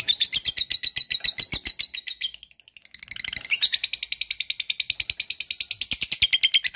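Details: Lovebird singing a long ngekek, a chattering song: rapid high, buzzy notes pour out several times a second, break off briefly near the middle, then resume just as fast and unbroken to the end.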